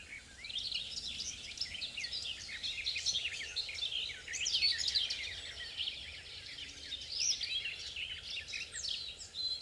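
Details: Garden warbler singing, recorded from a distance with a compact camera: a continuous, rapid, rich warble of high chattering and fluting notes flowing without pause, with a faint steady background hiss.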